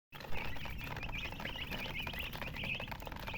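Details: Chicken chirping: a steady run of high, short peeping notes repeated rapidly over a low rumbling background.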